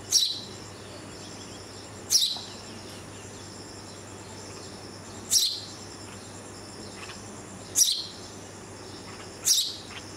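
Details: A red-vented bulbul fledgling, moved to a first floor after a cat attacked its nest and being fed by its parents, gives five brief, sharp, high-pitched begging calls at uneven intervals of two to three seconds, over a faint steady hum.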